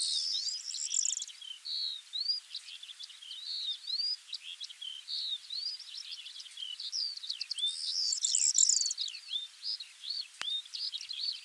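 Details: Eurasian skylark (Alauda arvensis) song among steppe birds, recorded in spring 2020: a continuous, rapid stream of high trills, chirps and whistled slurs with no pauses, steady and unbroken throughout.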